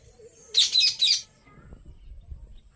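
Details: Ringneck parrot chirping in two quick bursts of bright, harsh, high-pitched notes, then quiet with low background rumble.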